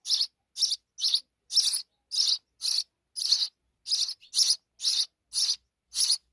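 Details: Sparrow babies in Pakistan, their mother returning with insects, call in a quick, even run of harsh high chirps, roughly two per second, thirteen notes over six seconds, with no other sounds.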